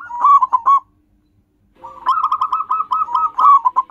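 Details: Song of a local zebra dove used as a lure for wild birds. A short choppy cooing phrase, a second of silence, then a long, loud, fast rolling string of staccato notes.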